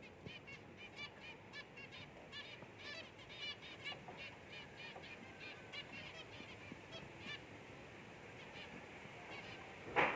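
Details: An albino zebra finch chick, among several zebra finches, gives a steady chatter of short, nasal, toy-trumpet beeps that overlap, with a louder squeak at the very end.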